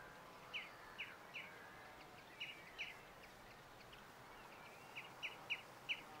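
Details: Pied avocet recorded at RSPB Titchwell Nature Reserve in September 2016. About nine short, clear, fluty notes come at irregular intervals, some in quick pairs, over a soft background hiss.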